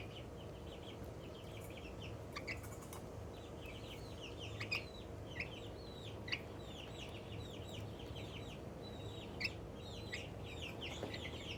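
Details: Little Australorp chicken giving excited, happy calls: continuous strings of quick, high, descending peeps, bunched in groups of three to five, with a few sharp clicks and a constant low hum behind.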